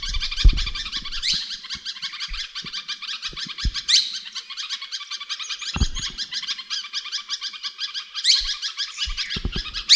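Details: A parrot kept as a pet and said to say everything keeps up steady raspy, harmonic babbling with brief sharp squeaks. Occasional low knocks and bumps are heard close by.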